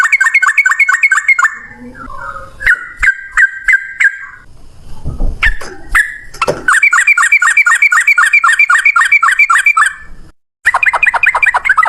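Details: A yellow-vented bulbul sings its extended ropel roll: rapid chains of bubbling notes, about four per second, interrupted midway by clattering knocks and short squeaks, then resuming strongly.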